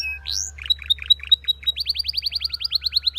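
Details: Belgian canary (Serinus canaria domestica) song: a bright upward sweep, a few varied chirps, then a fast, even trill of rising notes, about seven per second, over a faint low hum.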